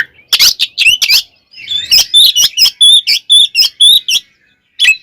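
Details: Oriental magpie-robin 'ngeplong tarung' fighting song, a lure to anger other magpie-robins: a few harsh scratchy notes, then a steady series of clear, sharp whistles repeated about three times a second.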